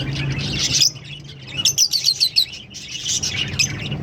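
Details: A green pair of Fischer's lovebirds chatter in high, shrill chirps and squeaky twitters, with a quick run of sharp tweets about five per second in the middle.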